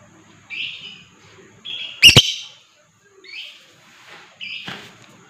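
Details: Lovebird singing to encourage other birds to join in ngekek and gacor song: a few soft buzzy chirps spaced about a second apart, broken by one loud double squawk.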